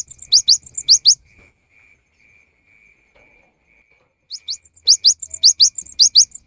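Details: Afternoon song of a cinereous tit, said to prompt others of its kind to sing: two bouts of quick, high, piercing double notes repeated rapidly, with a quiet pause between them and a faint steady high hum.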